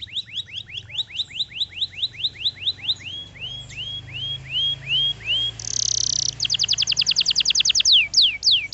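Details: Canary song: a quick series of upswept whistled notes slowing into broader rising notes, then a short harsh buzzy burst followed by a fast, bright trill and loud sweeping notes, over low background hum.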